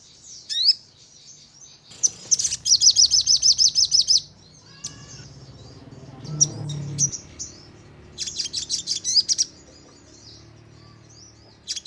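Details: Sogon (crimson sunbird) lure song meant to make birds respond, 'nembak' and 'ngleper'. Scattered thin high chirps surround two bursts of rapid, tightly spaced metallic notes, with faint low background noise between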